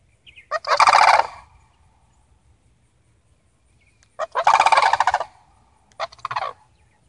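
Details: Three rolling rattles from a visiting family of Sandhill Cranes: two long bursts about three and a half seconds apart, then a shorter third one soon after.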